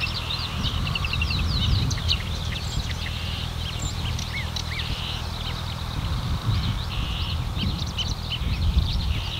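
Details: Marsh warbler song at Lippetal, 3 June 2021, mid-morning, 10:40: a dense, hurried stream of varied chirps, trills and slurred whistles, with a few clear upward-bending notes, over a steady, strong low rumble of wind or distant traffic.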